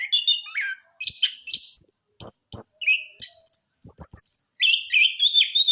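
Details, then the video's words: Orange-headed thrush, trotol song as a lure for training: rasping chatter, then clear upslurred whistles, then a quick trilled phrase, with short silences between bursts. "AK TROTOL WAJIB DENGAR SUARA BURUNG INI"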